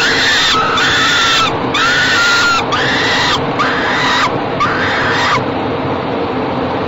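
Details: At a nest box at Great Spirit Bluff, falcon chicks are fed in the evening of 28 May 2013; five loud, harsh, broad screams about a second long each, then quieter hiss.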